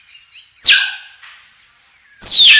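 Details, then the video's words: Common hill myna singing naturally, giving loud piercing whistles that slide steeply downward, one harsh burst then a quiet gap before a second long descending screech, with no other sounds. "Tiếng chim Nhồng(chim Yểng) hót tự nhiên"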